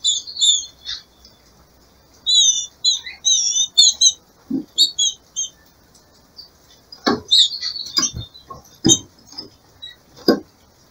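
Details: Captive green-winged saltator female, breeding season, calling to stimulate the male: clusters of rapid, high, slurred chirps repeated in short bursts, mixed with several hollow knocks and thuds from cage movement.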